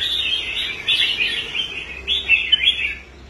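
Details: Red-whiskered bulbul in a cage on a competition rack, brought back to form after abandoning fights. Sweet rolling warbles in three quick phrases, then it falls silent near the end.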